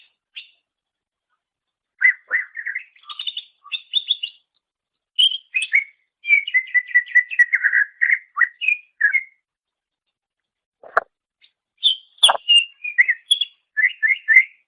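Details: Greater green leafbird singing, recorded as a master for training songbirds: long varied sequences of rapid chirps, trills and whistled notes with brief pauses and a couple of sharp clicks, otherwise quiet.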